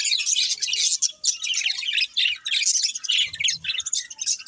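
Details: Several budgies chatter in quick, scratchy warbles and twittering chirps, rising and falling in short bursts with brief gaps between.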